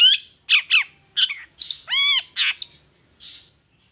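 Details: Long-tailed shrike singing lure-style 'toet toet' material: a few loud, harsh squawking notes and one drawn-out nasal, harmonic call, separated by short gaps, then a fainter final note.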